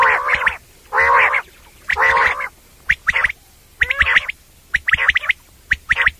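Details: Common quail call, a special sound for night-time quail hunting: loud buzzy, harmonic bursts about once a second, followed by quick sharp three-note clicks repeated in groups.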